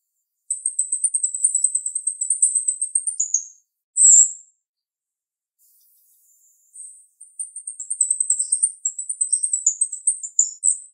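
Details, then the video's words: Sharp-voiced female jalak rio-rio starling singing a long, high, fast string of thin pulsed notes, one short harsh burst, a pause, then another rapid high-pitched trill with slight dips in pitch. "MASTER Jalak RIo Rio Betina suara tajam"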